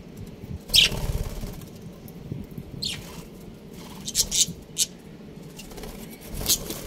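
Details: Budgerigars, a breeding pair, give short, bright, high chirps, single and in quick pairs, scattered over several seconds against a soft low rumble.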